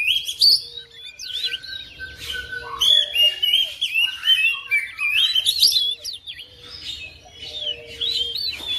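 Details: Oriental magpie-robin kept at home replying to another bird and breaking into full song: dense, fast sequence of whistled slurs, trills and sharp chirps delivered almost nonstop, with a low background hum.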